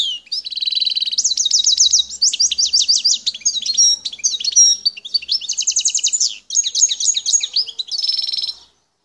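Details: Wild European goldfinch from Algeria's El Tarf region in full song: long run of quick, high, liquid trills and rattling repeated notes, shifting phrase types every second or so, continuous and loud without other sounds.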